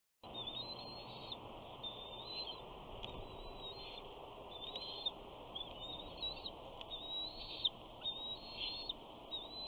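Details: A 68-day-old bald eaglet on a Big Bear nest on June 21, 2019, the first day of summer, calls as its father flies in with a fish. Thin, high whistled chirps rise and fall in short, steady phrases over constant broadband hiss.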